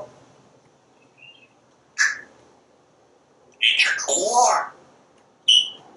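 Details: Pet parrot talking from a screened back porch while watching squirrels and birds: a short sharp note, then a long, warbling, speech-like phrase and a final clipped squeak, with faint chirps outside.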